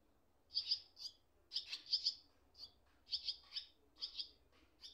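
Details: Nestling swallows calling from their nest as parents come and go, one darting in briefly, one on wires: sharp high twittering chirps in short clustered bursts, about eight in five seconds, with a soft low rumble beneath.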